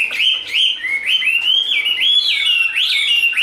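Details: Short burst from a caged Chinese hwamei, tame and large, during đấu xòe fighting display: repeated bright whistled slurs, each climbing then dropping, about three per second.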